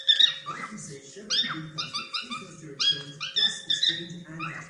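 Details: Pet cockatiels at play, giving a rapid string of short, harmonic-rich chirps and whistled notes that slide up and down, with brief pure whistles standing out; a soft low murmur and a steady faint hum run underneath.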